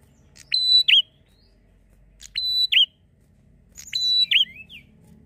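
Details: Bar-winged prinia song, recorded as a lure for captive birds, in the ngalun style: three phrases about 1.7 seconds apart, each a sharp click, a level high whistle, then a quick swooping dip.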